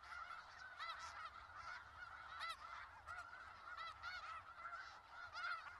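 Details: Skagit Valley snow geese, many birds giving high nasal honks at once; clear individual calls stand out roughly every second above a constant background din of the flock.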